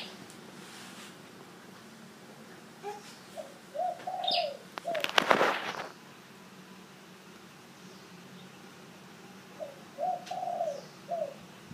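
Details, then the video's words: Spotted dove giving two soft cooing phrases, each of three or four low hooted notes with a longer drawn middle note. A brief rustling burst falls between the phrases, over faint steady background hiss. "Cu gáy nổi"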